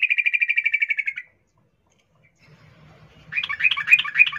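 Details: Sooty-headed bulbul female calling to a male, in breeding condition; an even rattle of rapid repeated notes, a short pause, then a busier chirping, bubbly phrase over a low background hum.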